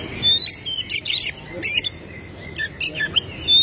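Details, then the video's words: Oriental magpie-robin (kacer) singing energetically, used as a lure to get other kacer singing: scattered high, sharp chirps and short whistled notes in loose bursts, with gaps and a faint low background hum. "KACER SUPER GACOR BUKA EKOR BONGKAR ISIAN"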